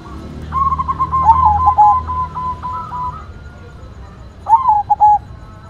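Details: Active white zebra dove song: a fast rippling series of short ringing coos lasting about two seconds, a pause, then a single shorter phrase of a rolling note and two clipped coos, with low rumble beneath.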